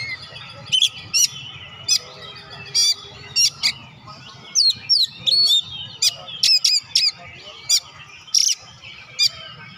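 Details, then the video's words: Singing Oriental magpie-robin, meant to prompt reluctant birds to sing, giving sharp whistled notes and buzzy chips in short separated bursts, with steady low background hum. "BURUNG KACER GACOR.COCOK UNTUK PERANGSANG KACER YG MALAS BUNYI"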